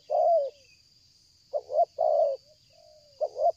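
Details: Spotted dove, a strong caller used in bird luring, giving 'selang gagap' coos: a long mellow note, a soft trailing whistle, then paired stuttered notes and a fuller coo, steady shrill insect tone in the background.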